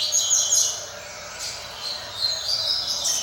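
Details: Juvenile brown double-collared seedeaters, kept indoors for song training with the Roda de Fibra style. Bursts of high twittering with thin clear whistles, a quieter dip midway, then rapid warbling phrases resume.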